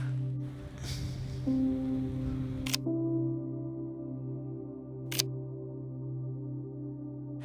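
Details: Soft ambient music with sustained low drones and bell-like tones, broken by two sharp camera shutter clicks, with no animal voices.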